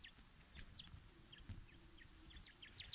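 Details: Quail set up for fighting, uttering brief high chirps spaced irregularly through the recording, a few closely doubled near the end, over steady low rumble and occasional knocks.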